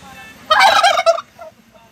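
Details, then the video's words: Turkey at a guesthouse in Bukit Lawang, Indonesia, giving a loud, harsh, rattling gobble lasting under a second. A few fainter short notes follow over a low background hum. "Begini Suara Ayam Kalkun"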